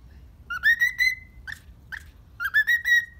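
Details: Cheerful pet cockatiel in the morning gives a rising, trilling whistle phrase, two short single chirps, then another bright rising whistle run.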